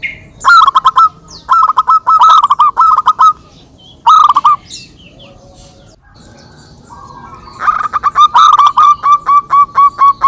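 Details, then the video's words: Local zebra doves trading songs, recorded as a lure. Repeated short bursts of ringing, stuttered coos are followed by a long, rhythmic run of evenly paced notes near the end. Faint chirping from other birds is present. "perkutut lokal gacor suara saling saut cocok untuk pancingan"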